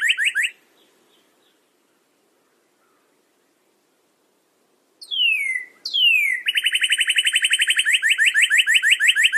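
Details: Northern cardinal: a brief burst of rapid notes, a pause, then two sweeping downslurred whistles leading into a long, fast, very even trill of repeated chirps.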